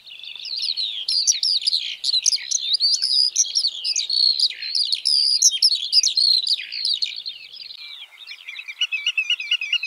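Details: A lark pours out a continuous, rapid, high warbling song of rising and falling whistles and clicks for nearly ten seconds, softening into lower buzzy trills at the close.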